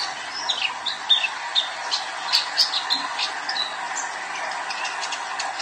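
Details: Young male sunbird giving high, thin chirps and short squeaky twitters, partly masked by a loud steady hum in the background.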